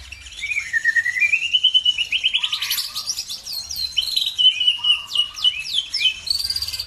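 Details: Lure song to provoke other birds into singing: a sweet rising warble that climbs steadily, then a loud sequence of sharp downslurred whistles and chattered phrases, with short lower notes twice in the background.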